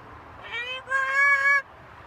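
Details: Pet macaw parrot talking: a short, tonal, voice-like phrase in two parts, the second louder and longer, with a steady rich pitch, heard indoors against faint background hum.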